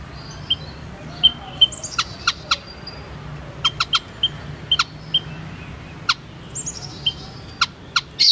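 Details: Thin, high peeping notes from a white-headed munia, loosely repeated and often paired, interspersed with crisp clicks and a few faint descending squeaks.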